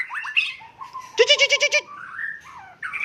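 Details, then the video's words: White-rumped shama from Cot Goh, Bireuen, Aceh province, giving slurred whistled notes around a short, harsh, pulsing rattle of about six beats, then a falling whistle and a bright final note. "Murai Aceh"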